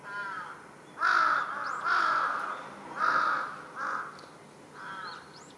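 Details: A large-billed crow making a commotion atop a utility pole in a residential area on 1 July 2023 gives loud, harsh, nasal caws, four or five in a row at about one per second, with fainter distant calls behind.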